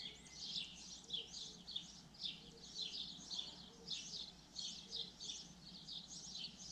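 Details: Common linnet delivering lively twittering song in clustered bursts of high, rapid chirps and short buzzy trills, about one burst per second, with faint low tones and a low rumble in the background.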